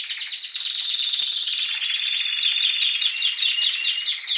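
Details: Spanish Timbrado canary singing while waiting for spring, recorded in February 2016 near Athens, Greece: a dense, continuous high trill of rapid metallic notes, shifting into a run of quick downward-sweeping notes in the second half.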